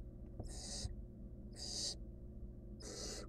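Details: Barn owl chick, wild, filmed in a research nest box while swallowing a rodent, gives three rasping, noisy hisses spaced a little over a second apart, each a breathy burst, with faint low rumble beneath.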